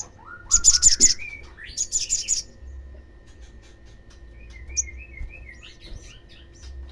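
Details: Olive-backed sunbird call meant to make other sunbirds respond: a few lower rising notes, two quick bursts of shrill trilled notes, then sparse thin squeaky notes and slurred whistles.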